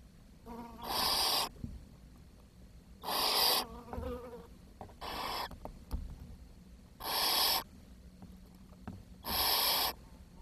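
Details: Young barn owls in a nest, June 2023, in a brood short of food where the smallest chick starved. Five rasping hiss bursts come about every two seconds, with soft shuffling between them.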